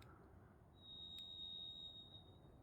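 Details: A Varied Thrush sings one long, steady, high whistled note lasting about a second and a half over a soft forest hush, in old-growth redwood forest of Northern California.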